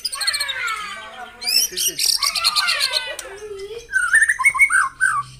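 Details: Provoking morning song of a white-rumped shama: layered descending warbles, a harsh burst of rapid clicks, then lower fluty slurred whistles bouncing up and down.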